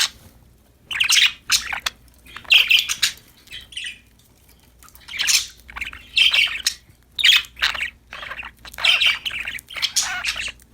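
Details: Budgerigars chirp and chatter while playing happily, giving clusters of harsh, raspy squawks and tweets separated by brief pauses, with a quieter lull in the middle before busier chattering resumes.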